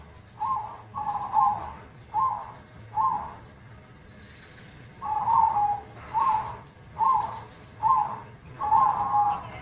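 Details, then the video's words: Zebra dove with a big KONG-style voice gives a string of short, mellow cooing bursts, some single and some paired, with a pause midway. Background hiss is steady. "gacor suara besar KONG - perkutut mana yg gak merinding dengarnya."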